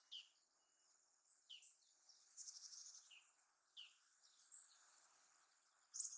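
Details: Japanese tit singing in Sakura-no-yama park near Narita airport, Japan: separate high notes falling sharply in pitch, spaced about a second or more apart, over faint high chirps and a steady background hiss.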